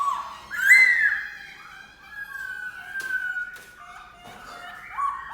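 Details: Black-throated laughingthrush song: a strong upward-swooping whistle opens, followed by drawn-out, level, mellow whistled notes. Clipped accents punctuate them, and the clip ends on another rising slur.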